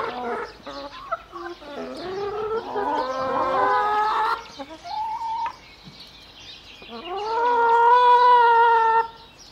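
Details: Hens recorded on 3 May 2009, several overlapping voices: short harmonic clucks and low murmurs build into longer drawn-out, wavering calls, with a clear sustained nasal note near the end.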